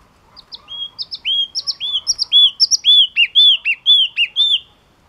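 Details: Sustained, loud Yellow-cheeked tit song built from repeated phrases of paired high sharp notes and a slurred whistle, delivered steadily at roughly two phrases per second for about four seconds.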